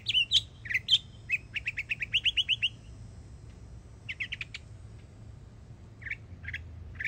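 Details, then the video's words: A yearling Northern Mockingbird sings in Florida, running through varied bright high phrases: sharp chirps, then a rapid string of about eight repeated notes, a pause, a cluster of quick notes, and separate scratchy calls spaced apart. "Yearling Florida Mockingbird Goes Hard 🎶💯 Beautiful Songs"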